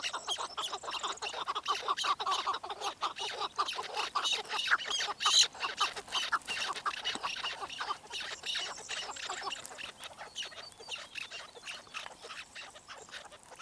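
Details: Chukar partridge, known as keklik, giving a long run of rapid chattering clucks that build into a dense, busy chorus, loudest mid-way and thinning toward the end, with faint hiss behind.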